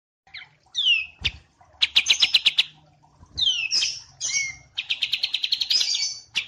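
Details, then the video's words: White-eye, wambi mini, paired with kapas tembak: short downslurred whistles alternating with quick chattering trills of about eight notes, with brief pauses between phrases. "Masteran Wambi Mini vs Kapas Tembak"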